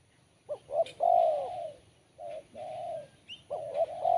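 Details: Sharp, crisp Kuk 1 song of a spotted dove. Quick double notes, a long falling coo, two further even coos, then another phrase starting. A faint high chirp is also heard.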